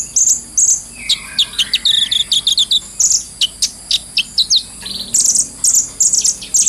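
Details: Brown-throated sunbird training-lure song, high thin chirps alternating with fast twittering runs and buzzy trills, steady quick rhythm, faint trickling water in the background.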